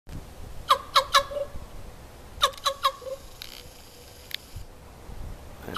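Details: Common ravens at Raven Bay Beach Wildlife Sanctuary, Green Bay, Wisconsin, on 7 November 2015, heard giving unusual calls: two bursts of three quick, hollow, knocking notes, a pause between bursts, then quieter scratchy sounds.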